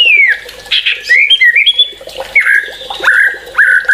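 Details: White-rumped shama, described as agitated and in full song, giving loud whistled phrases that slide down from high to mid pitch, followed by rising notes and short chips, with a steady, flat whistle near the end.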